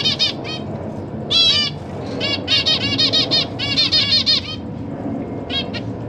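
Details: Zebra finch family in a cage, parents busy feeding newly fledged young: loud bursts of stacked nasal chirps and rapid chattering in clusters, with short pauses between, plus faint wing flutters.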